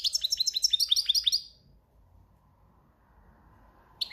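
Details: European goldfinch in breeding season opens with a quick series of about a dozen bright, downslurred twittering notes of cante campero song, then falls silent.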